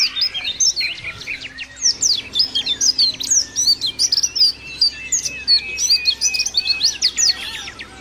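A white-eye pours out a rapid, nonstop twittering song of high, thin notes that slur up and down, with a faint low hum underneath.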